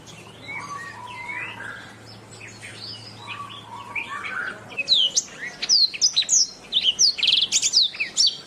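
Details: Canary song used as master recording for training songbirds; soft varied chirps and warbled notes give way to rapid, sharp, high sweeping notes and quick trills, loud and closely spaced, over a faint low hum.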